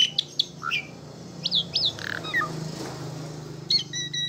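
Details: Asian pied starling giving a few scattered sharp whistled notes and brief squeaks over a steady low background hum, ending with a short burst of thin high notes.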